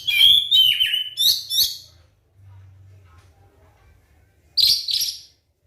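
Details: White-rumped shama lure song aimed at making other shamas sing: a quick series of whistled and chirped notes for two seconds, a long quiet gap with low humming, then a short burst of harsh, rich notes.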